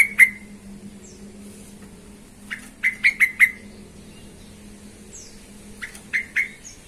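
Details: Excited yellow-vented bulbul used as a lure to provoke other bulbuls; quick series of bright, sharp, downward-slurred notes in groups of three or four, separated by pauses.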